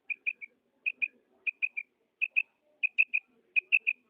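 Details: A female common quail gives clipped, high double and triple notes, quick-quick or quick-quick-quick, in bursts about every two-thirds of a second. Faint background murmur.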